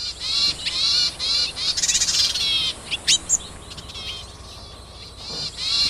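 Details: Yuhina hunting food for its chicks in the wild; repeated grating high-pitched bursts with rising harmonic bands, a few sharp, clipped chirps near the middle, then more bursts at the end.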